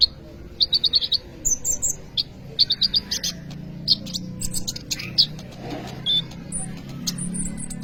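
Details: Sunbird called kolibri ninja singing gacor as training material for other birds: quick runs of high rattling notes, then scattered sharp chirps and thin whistles, over a low background murmur.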